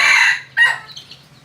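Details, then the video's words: Wild chicken crowing: a loud, harsh, harmonic-rich first note lasting about half a second, then a shorter rasping second burst that fades into faint higher notes. "qaib qus qaib dib qua zoo heev"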